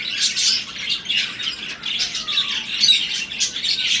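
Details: Mating budgerigars in breeding season produce pulsing bursts of harsh squawks and chirps, rising and falling in loudness every half second or so.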